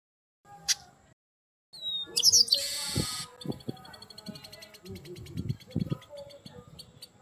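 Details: Red-cowled cardinal singing in the ringing 'retinindo' style: a bright, sharp high note, then a dense run of rapid, repeated high metallic notes over several seconds, with low murmuring and thumps beneath.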